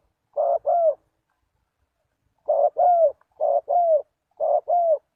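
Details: Spotted dove coos used to lure wild doves: one low double note, a pause of over a second, then three more pairs in a row, each a gruff short coo and a smooth longer falling coo.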